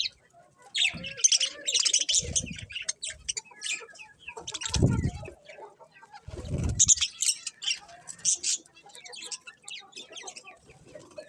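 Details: Colourful budgies chirping and warbling in scratchy high bursts, interrupted by several dull low thumps, possibly wing flaps, across a longer stretch of busy chatter.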